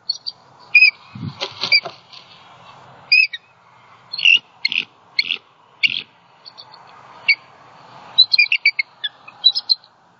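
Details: Agitated female bald eagle at a Southwest Florida nest on 28 December 2020, just after a great horned owl attack knocked the male into branches. Loose bursts of high squealing chirps and stuttered notes over ten seconds, with scattered low rustling thumps early on.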